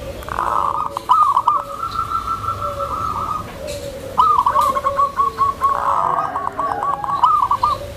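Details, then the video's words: A soft-voiced tame zebra dove used to lure other zebra doves and to calm new birds. It gives drawn-out high cooing, then a quick train of staccato notes against steady background murmur. "SUARA PERKUTUT JINAK, LEMBUT, DAN MEMANCING PERKUTUT LAINNYA"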